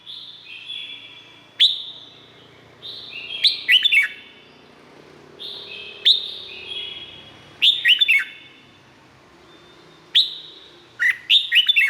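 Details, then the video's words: Red-whiskered bulbul singing in Thailand, played to train or excite caged birds: repeated cheerful phrases of clipped notes and slurred whistles, roughly every two to three seconds, over faint background hiss. "เสียงนกกรงหัวจุก สำหรับต่อ หรือ เปิดให้นกคึก เสียงเพราะๆ"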